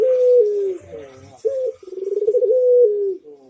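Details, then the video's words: Manggung cooing of a Barbary dove for training other birds: a smooth sustained coo sliding gently downward, a short break, then a pulsing throaty roll leading into another long, slightly falling note. "PUTER MANGGUNG GACOR - Suara Merdu Bikin yang lain ikut nyaut !!"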